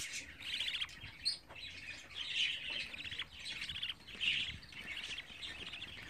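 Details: Twenty-four-day-old budgerigar chicks giving harsh, scratchy chirp bursts in uneven runs, roughly every second or two, one sharper squeak near the start, quiet room background.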